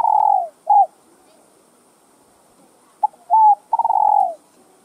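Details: Spotted dove cooing to stimulate other doves: a fading trembling coo and short note, a pause, then a full phrase of brief note, smooth coo and long pulsed coo sliding downward.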